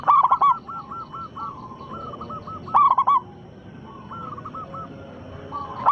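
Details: A local zebra dove in full song, played as a lure so other doves reply; loud throaty coo bursts come at the start and again near three seconds, with fainter doves cooing in between.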